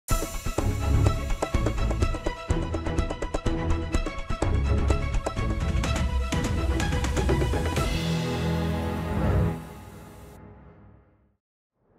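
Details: Orchestral music with heavy timpani and brass-like tones plays throughout, fading out near the end with no animal sounds.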